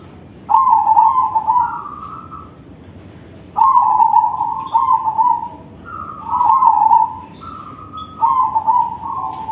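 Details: Crossbred zebra dove giving a big-voiced cooing song; four phrases of mellow, slightly trilled coos, each with a rising step and then a higher end note, spaced about every two to three seconds over a steady background hiss.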